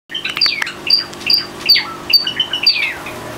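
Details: Seven pet Java sparrows let out of their cage for free-flying time, recorded February 2009; bright, sharp high chirps with quick falling slurred notes, repeated roughly every half second, over a steady low indoor hum.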